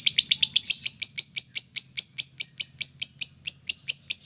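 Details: Lovebird ngekek song used to stimulate other lovebirds: a long rapid run of sharp, high chattering notes, about twenty in four seconds, steady and insistent, with a faint low hum underneath.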